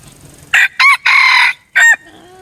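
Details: Decoy red junglefowl crowing loudly in four bursts: two short strained notes, a long sustained harsh middle note, then a final short clipped note, all within two seconds.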